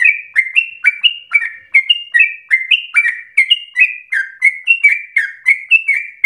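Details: Sooty-headed bulbul, vigorous rapid song for prompting and training other birds: about twenty bright chirps in six seconds, a continuous chattering rhythm of two-pitched whistled notes, clean with no other sounds.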